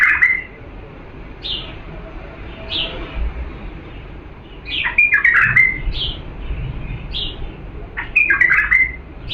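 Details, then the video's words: Authentic Diyala bulbul song used to train chicks to sing: a few clear rising notes, then two fuller warbled bursts near the end, separated by quieter pauses. "افضل تغريد بلبل ديالى الاصيل لتخريج الافراخ"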